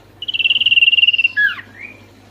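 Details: Oriental white-eye in vigorous song, meant to rouse lazy or stressed white-eyes: a rapid, even, high-pitched trill of about twenty pulses, then a falling slurred note and a soft rising whistle over a faint low hum.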